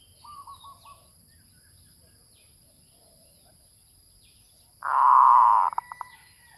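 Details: Zebra dove lure call opening with a short run of soft cooing pulses, then after a quiet gap a loud rolling coo and a few quick clipped notes.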